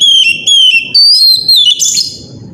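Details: Oriental magpie-robin singing in the morning, a loud, powerful lure to prompt other magpie-robins, including young birds, to sing: clear whistled phrases that slide downward and waver, four or five in a row, ending in a brief harsh burst.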